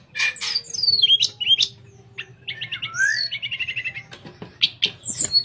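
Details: Sooty-headed bulbul singing as a tutor for other songbirds, a fluting style: quick whistled notes, a rapid repeated trill of short chirps, then sharp squeaky notes, with a faint low hum behind.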